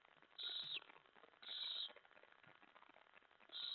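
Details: Owl recorded at 2:07 AM on 25 July 2017 during feeding, when a mouse is delivered: harsh, hissing screeches repeat about once a second, each lasting roughly half a second, with quiet scratchy background noise between them.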